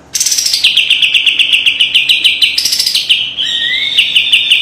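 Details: Kapas tembak white-eye singing a training master song: a long, rapid run of evenly repeated high chips, broken by a brief upslurred whistle near the end.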